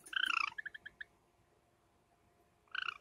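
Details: Pet Java sparrows, a light silver ino and a sakura bird, in summer: a short buzzy churr, a string of five evenly spaced soft chirps, quiet, then another brief churr.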